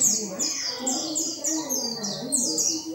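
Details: Oriental white-eye of the dakun type used as a song tutor: evenly spaced, very high, sliding downslurred notes, about four each second, over a murmuring low background.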